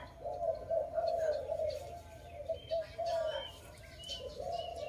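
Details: Dove cooing at a bird-trapping site: a series of low, throaty notes grouped in bursts, with faint high bird chirps and background noise.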